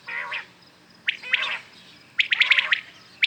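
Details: Common quails calling in the morning: short, liquid, clipped notes, a few at first, then a quick run of four or five, fairly high-pitched. No other clear sounds.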